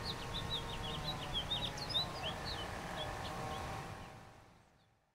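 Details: A House Finch perched on a rose arch in the Rose Garden, Hermann Park, Houston, Texas, sings a rapid, jumbled warble of bright slurred notes for about four seconds over a steady low hum of distant traffic.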